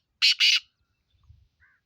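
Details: Black francolin calling in Sindh, Pakistan: two harsh, grating broadband notes in quick succession, each about a quarter second long, followed by faint low rumbling.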